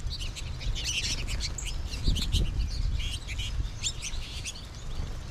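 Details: A late-season flock of American goldfinches in a yard in March 2021, with more birds in the trees above, chatters in a steady stream of high, thin twitters and chips over a low background rumble.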